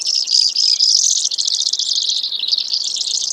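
A Brewer's sparrow gives a long, high, buzzy trill of rapid notes, about four a second, stepping down in pitch near the end.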